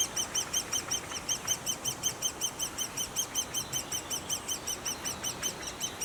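Great spotted woodpecker nestlings beg with a ceaseless, high, squeaky chatter, several short notes each second, overlapping as a shrill chorus.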